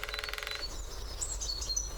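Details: Great spotted woodpecker on its favourite drumming post, drumming in a fast burst of about half a second at the start, then fading into thin high twittering from other birds.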